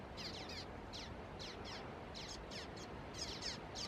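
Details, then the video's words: Juvenile common waxbills recorded on 30 November 2016 at Canidelo, Vila do Conde, Portugal: rapid series of high, thin, downslurred chirps, often overlapping, several per second, over a steady low background hiss. "Bico de Lacre (Estrilda astrild) Juvenis"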